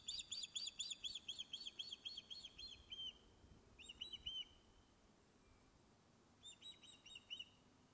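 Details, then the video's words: Webcam at Loch of Lowes, Scotland, catches an Osprey on the nest fish-calling: a rapid run of about ten high whistles, then short clusters of three to four chirps after pauses. "is now back on nest fish-calling"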